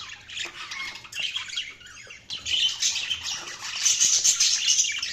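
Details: Budgerigars chirping: dense, high scratchy chatter and warbles from several birds, swelling louder in the second half.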